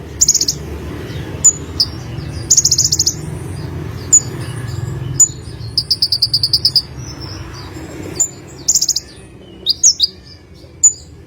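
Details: Olive-backed sunbird, energetic: fast high trills, sharp single chips and stuttering bursts of notes repeat across the stretch, with brief quieter pauses and a soft low background hum.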